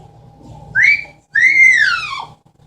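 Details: Captive female Amazon parrot indoors giving a mimicked wolf whistle: a short rising whistle, a brief gap, then a longer bright whistle arching up and sweeping down.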